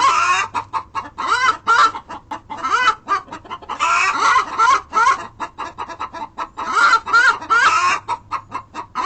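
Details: Chickens calling after one lays an egg, others joining in: a sustained chorus of loud, brassy clucks and stretched cackling notes, overlapping voices in dense bursts with short pauses between runs.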